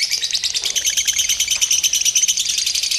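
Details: Lovebird singing in a simulated singing-competition setting used to train a bird's nerve: a fast, unbroken chatter of high, buzzy trilled notes pulsing several times a second, with no pauses.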